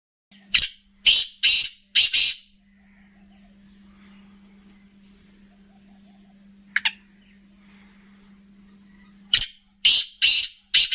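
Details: A grey francolin, calling while playing in soil, gives loud, harsh, grating notes in quick bursts, a cluster at the start and another at the end, with a steady electrical hum and whine between.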